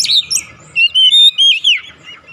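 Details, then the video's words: Oriental magpie-robin song used as a lure to set a silent bird singing: sharp high chirps, then a run of loud, clear whistled notes, some flat and some bending, in quick succession. "memancing ncept Kacer macet bunyi langsung gacor"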